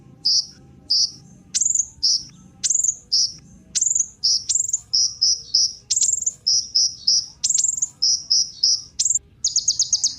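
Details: Kolibri ninja sunbird song for luring other birds to sing: short high chirps repeated about twice a second, some sharp downward-sweeping notes, ending in a fast buzzy trill.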